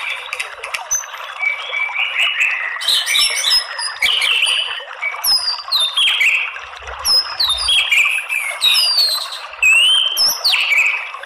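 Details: White-rumped shama song used as a lure to provoke males into fighting song: a rich, varied run of clear whistles, rising and falling slurs and sharp chirps, sung almost without pause at high pitch.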